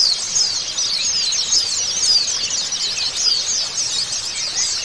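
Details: White-eye song played as therapy for a bird that has stopped singing. Unbroken high twittering, sharp down-slurred whistles and fast chattering phrases overlap throughout, steady in loudness.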